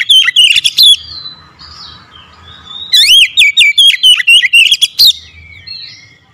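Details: Kept oriental magpie-robin, lazy to sing until lured, then singing vigorously: fast series of shrill whistled chirps and twisting squeaky notes in two loud bursts, with brief thin whistles in the quieter pause between.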